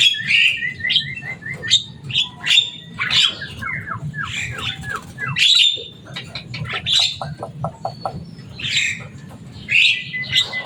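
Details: Captive Javan myna, known for its loud, boisterous calling and ability to mimic speech, chatters busily with clear whistles, a short stuttering series of notes, creaky squeaks and a run of rapid clicks. A low background rumble is present.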